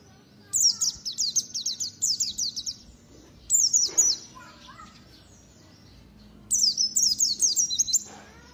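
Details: A caged white-eye, a contest-prospect bird, sings sharp 'ngalas nembak' phrases: quick trains of high, slurred downward whistles in three bursts with quiet gaps, a soft lower chirp in between, low background hum.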